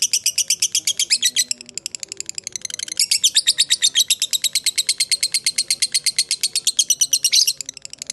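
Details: Fighter lovebird pouring out a long ngekek, a lure meant to set other lovebirds chattering: dense, fast rattling notes, high and scratchy, dipping in loudness near two seconds then surging on steadily to the end.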